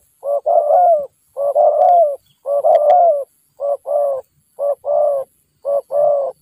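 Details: Wild spotted dove (Spilopelia chinensis) lured by a decoy, bobbing its head: low, soft coos in paired phrases, a short note then a longer rolling coo, about once a second against a quiet background.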